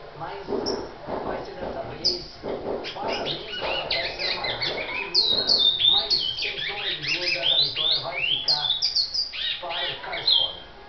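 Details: Brown (pardo) great-billed seed finch singing at length: an energetic, varied stream of whistled slurred notes, rising and falling quickly, building into a dense rapid middle section before tapering off, background hiss throughout.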